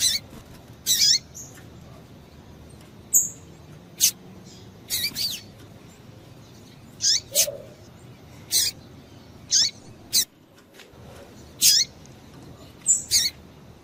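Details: Calls of a female double-collared seedeater: a series of about a dozen brief, high, downslurred chirps, some doubled, given at irregular gaps of roughly one second, with little else heard.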